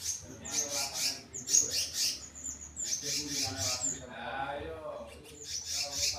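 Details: Selendang biru singing in a mini aviary: bursts of thin, high chirps and short notes, some in quick series, with a human voice talking underneath.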